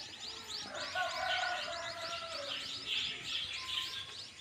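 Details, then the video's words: Young birds in a nest chatter with rapid high chirps packed closely together, plus a few lower drawn-out whistled notes in the first half. "Baby birds inside the nest making sound."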